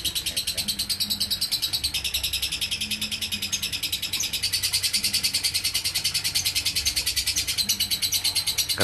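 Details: Lovebird singing ngekek konslet: an extended, tireless high-pitched buzzing chatter of quick pulses lasting the full nine seconds, with a brief sharp click near the end.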